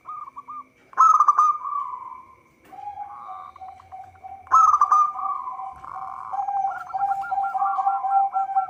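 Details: Vigorous local zebra dove song, recorded as a lure for trapping. Loud bursts of rolling coos start about every three and a half seconds, over a lower steady hum-like note, with quick staccato note runs near the end.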